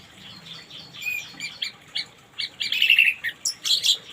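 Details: Orange-headed thrush singing in the morning: a string of short, bright chirps and twittering notes that grow louder and quicker toward the end, with a faint low hum behind.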